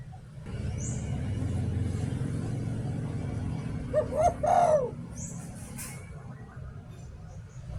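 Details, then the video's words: Spotted dove used as a decoy, giving one "liu tan" style phrase midway. Short coos run into a drawn-out falling coo over a steady low rumble like traffic. "เสียง "หลิ่วตัน" นกต่อ"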